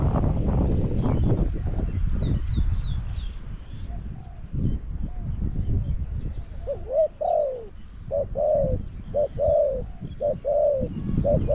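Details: Spotted dove used as a caged decoy to attract wild doves at Song Phi Nong, Thailand. Loud rumbling noise fills the first half, then a run of soft repeated two-note coos follows.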